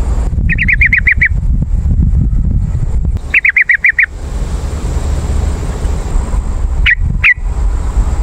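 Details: Yellow-vented bulbul calling, used as a lure for wild birds in forest or garden: two quick bursts of about six sharp, even chips, then two separate upslurred notes, over a steady low rumble and a faint high hiss.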